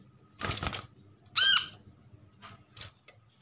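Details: Wild-caught untrained brown-throated sunbird, kept as a lure for silent sunbirds, gives one loud rasping arched chirp after a brief flutter of wings; the rest is quiet.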